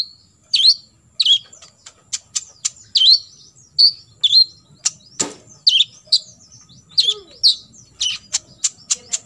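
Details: Olive-backed sunbird in full 'tembakan isian' song for imitation training: rapid high downswept notes mixed with short sharp ticks, running nearly continuously, with one loud click near the middle.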